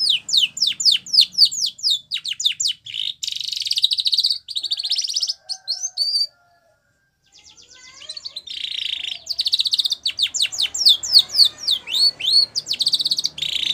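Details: Spanish Timbrado canary, a white bird, sings training song meant for young canaries: fast series of sharp descending strokes and metallic rolled trills, a brief pause midway, then more rapid chopped notes resuming.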